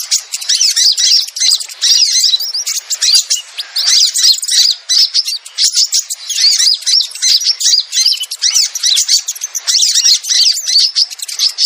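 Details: Lure recording of sogon, the crimson sunbird, used to attract hesitant birds: high, dense chirping and scratchy trilled notes pouring out in repeated bursts with brief dips.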